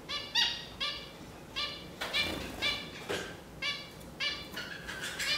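Zebra finches give short, nasal, toy-trumpet calls in quick, uneven repetition.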